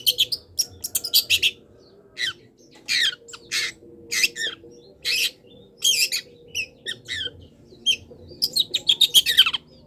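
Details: Long-tailed shrike song used as a master recording for training cage birds, mixing mimicked wild-bird phrases: harsh broadband squawks and scratchy bursts in quick clusters, some rapid stuttering runs, with a faint low hum throughout.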